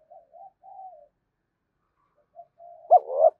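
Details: Spotted dove calling to excite other doves. Several faint low coos are followed by a louder sharp coo and a rising, throbbing note that is cut short.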